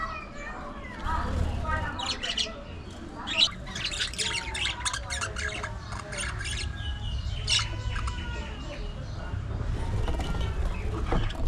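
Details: Budgerigar colony in an aviary: squawky chirps and rippling warbled notes in clustered bursts, several birds calling at once, over a steady low background hum.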